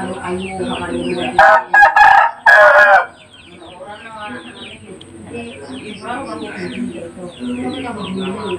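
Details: Bangkok rooster crowing: one loud, hoarse crow broken into three strong bursts lasting about a second and a half, then fading into steady high chirping from many other birds in the background.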